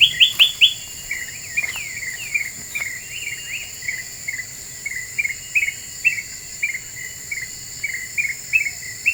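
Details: Lure song of a lively black-winged bulbul, said to agitate other birds: bright, hooked whistled notes in loose repeated runs, roughly two or three per second, with a constant shrill insect drone behind.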